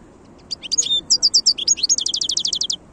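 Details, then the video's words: Wild European goldfinch singing, recorded in 2022: a quick jumble of high twittering notes and short whistles, then a fast even trill of repeated sharp notes about ten per second, over faint low background noise. "chant chardonneret sauvage 2022"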